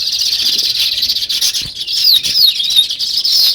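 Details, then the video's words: Dense sparrow chorus in a natural setting, a steady wall of high chirps with clear swooping whistled notes standing out toward the end. "Natural Sparrow Chirping Sounds"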